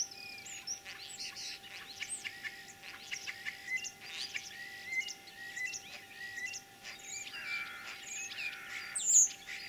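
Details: A common starling imitates other birds in spring near Kalyazin, Tver region, Russia, on 9 April 2023. A dense, rambling stream of clicks, chatters and brief whistles runs on without pause.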